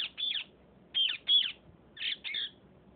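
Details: Parrots fighting, giving short harsh squawking calls in pairs, about five bursts over three seconds, with faint background noise.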